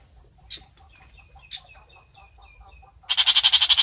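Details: Long-tailed shrike calling the flock. A series of soft, evenly spaced short notes is followed by a loud, harsh, pulsed chatter at the end.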